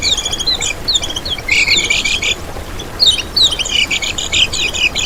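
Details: Lemon-bellied white-eye (kecial kuning) singing as a lure for trapping: high, hurried twittering with sweeping whistled notes and buzzy chatter in two main bursts.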